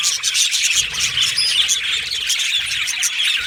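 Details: Budgerigars in an aviary colony, many Australian budgie parrots chirping together in a dense, continuous high-pitched chatter of overlapping warbles and short tweets with no pauses.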